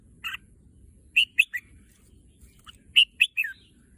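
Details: Caged Thai red-whiskered bulbul, a contest bird said to want an outing to the competition field, sings a single note, then two short phrases of three quick, slurred, whistled notes descending at the end.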